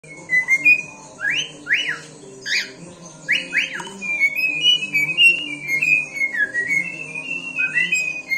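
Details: Seven-year-old male cockatiel singing: a run of clear whistled notes, several fast rising sweeps, then a wavering warbled phrase of linked whistles, over a steady low hum.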